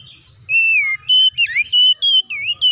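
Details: Oriental magpie-robin in full fighting song, used to provoke other magpie-robins into singing. A drawn-out falling whistle leads into a lively series of bright, short whistles, slurred chevron notes and warbled twists.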